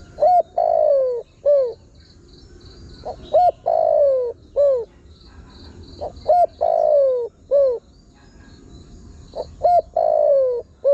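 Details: Spotted dove calling repeatedly to bring in wild birds, four steady phrases each made of two brief notes, a long downward-sliding coo and a short rounded coo, evenly spaced about three seconds apart, soft high hiss behind.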